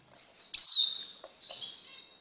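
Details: A caged Eurasian siskin being tamed by hand gives a single bright, slurred call that drops slightly in pitch and then trails off into a faint, thin tail, with soft clicks afterwards.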